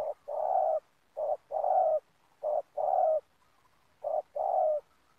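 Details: Spotted dove at an oil palm plantation, used to lure birds for trapping, cooing in repeated pairs: a short note then a longer hollow one, four couplets with an uneven gap before the last.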